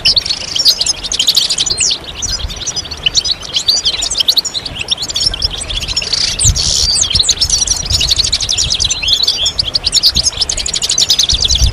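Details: Several European goldfinches sing together in stimulation song for moulting birds; rapid, high, buzzy twittering phrases pile up continuously, with a brief louder burst near the middle.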